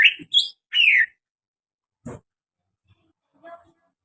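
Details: Greater green leafbird with an unusual call: three loud, quick whistled notes, the last a longer downward slur, then a brief rough buzz and a few faint soft notes in a quiet setting.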